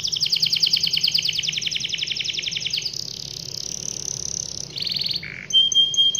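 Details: Canary giving a long rolling song, used to prompt other canaries to sing: a rapid high trill for about three seconds, then a sustained buzzy roll, a short lower burst, and clear whistled notes at the end.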